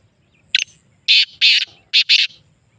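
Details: Black francolin calling: a short harsh note, then two longer rasping buzzy notes, then two quick grating notes, all within two seconds, against a quiet background.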